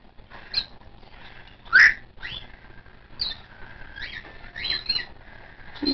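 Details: Hand-fed white-faced cockatiel chick, 22 days old, one of a captive brood, still hungry: scattered short rising squeaks and chirps, one louder harsh squawk, and soft wavering whistled notes between them.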